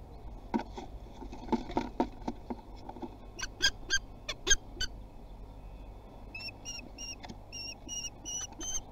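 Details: Young common kestrels trying their wings at Théding, France, on 24 June 2020; scratching and wing-flapping thumps first, then a run of about seven sharp, evenly spaced high keening notes in the last seconds.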